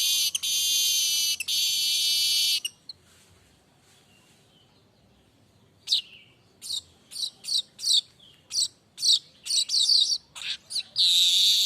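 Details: Streaked weaver singing without a break, unedited: a loud extended buzz, a short silence, then a rapid series of sharp clipped chirps that ends in another strident buzzing hiss.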